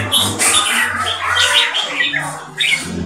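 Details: Red-whiskered bulbul, a Thai jambul competition bird over four years old from a champion bloodline, known for loud clear keke with open-tail display: harsh, scratchy bursts of chattering notes in quick succession, with a low hum underneath.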